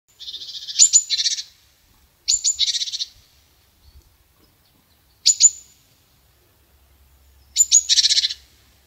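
A chickadee gives four chick-a-dee calls, each a few sharp high notes followed by a run of buzzy dee notes, spaced two to three seconds apart.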